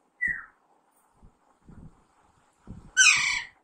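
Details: Alexandrine parakeet, young, in talking training. A short falling whistle opens, then quiet low murmurs, and a loud, raspy squawk closes.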